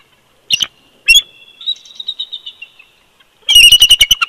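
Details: Bald eagle pair duetting at the nest at Big Bear Lake, California, in winter, 22 February 2020, live nest cam: sharp squeals, a thin drawn-out wavering whistle, then a loud burst of fast staccato piping notes.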